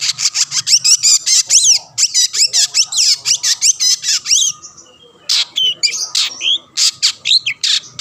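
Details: Long-tailed shrike pouring out a rapid run of bright notes that sweep up and down for about four seconds, then a brief pause before scattered harsh bursts and thin whistles. The bird sings to provoke rivals.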